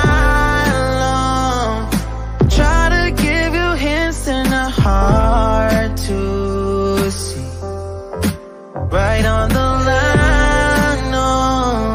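Melodic music with a steady beat, bass and a sung voice; no animal sounds.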